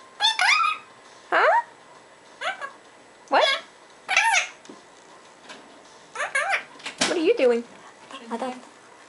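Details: Parrot babbling gibberish: a string of separate, rising-then-falling squeaky syllables with bright harmonics, spaced about a second apart, with short pauses between bursts.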